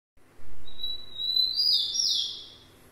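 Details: Rufous-collared sparrow (tico-tico) singing: a long, thin, steady whistle, then louder slurred notes dropping in pitch over about a second, against a faint low hum.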